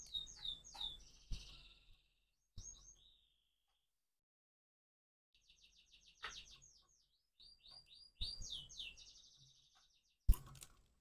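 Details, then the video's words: Crossbred canary singing in the morning: high twittering phrases, rapid trills and sweeping whistled notes in bursts separated by short pauses, with a few low thumps and a sharp click near the end. "persilangan kenari pagi hari"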